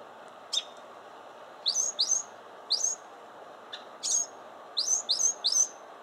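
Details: Mockingbird singing: short, bright chirped notes sweeping downward, given singly and then in quick doublets and triplets with brief pauses between bursts, over a steady low background hiss.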